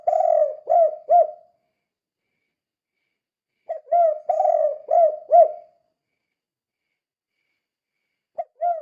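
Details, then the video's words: Spotted dove in 'kuk 2' calling style, played to lure other doves: two loud phrases of mellow hollow coos, each a rolling note then short clipped coos, separated by a few seconds of silence, with a brief note at the end. "Suara Burung Tekukur Gacor Kuk 2 Sangat Ampuh Untuk Pancingan"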